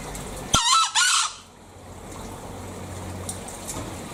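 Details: Bali green junglefowl uttering one brief, raspy two-note crow, the first burst sharp, the second a little longer, followed by soft background hiss and faint distant ticks.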